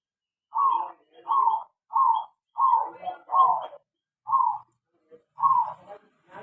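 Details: Zebra dove in an aviary gives a rapid series of short, rolling coo notes, about seven phrases in six seconds, with faint extra chatter and rustling near the end.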